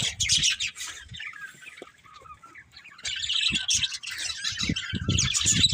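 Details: Breeding pair of budgies warbling in high, hissy chatter over a series of low thumping knocks.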